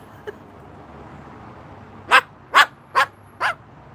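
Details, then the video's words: Pet Moluccan cockatoo on a patio giving mimicked dog barks for another bird; four short, sharp bark-like bursts about half a second apart near the end, after a faint click, over quiet background hiss. "yeah and Max is wondering if Tango's here he's got some barks for tango"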